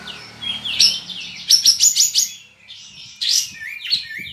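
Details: Kapas tembak bulbul kept in a cage in Singkawang, West Kalimantan, singing for an online contest: slurred whistles rise into a quick series of sharp, high, clipped notes, a short pause, then further warbling phrases over a soft low hum.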